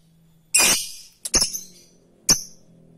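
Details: Lovebird used to provoke rivals: three short, harsh, high-pitched shrieks spread over three seconds, the middle one doubled, over a faint low hum.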